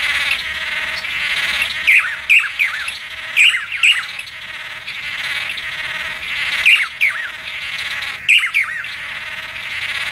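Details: Blue manakin in the forest during its mating ritual: nasal, squawky notes given in quick pairs and small clusters, repeated several times over ten seconds above a steady buzzing background hum.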